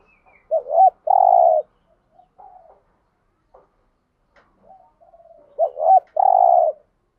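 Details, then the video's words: Spotted dove calling to rouse other doves: a full coo phrase of hooked notes ending in a long level coo, repeated twice about five seconds apart, with faint soft notes between. "Tiếng chim cu gáy đủ bài dùng kích bổi hiệu quả cao [ thúc gù . gáy gọi, đảo bài ]"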